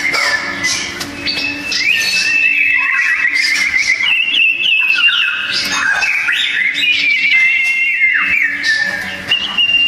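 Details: Sooty-headed bulbul song duel, dense and loud: nearly nonstop warbling whistles with fast trills, slides and occasional lower dipping notes over almost ten seconds.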